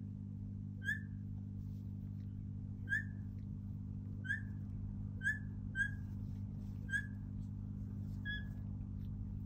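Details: Rainbow lorikeets, apparently arguing with each other, give about eight short, sharp, ringing chirps at roughly one-second intervals, over a steady low engine-like rumble.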